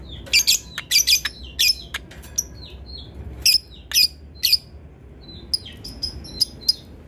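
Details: Lovebird kept as a training bird, giving its long ngekek chatter said to provoke rivals: bursts of harsh, high, scratchy chattering with short ticking notes between, spread through the clip in quick irregular clusters, in a quiet indoor setting.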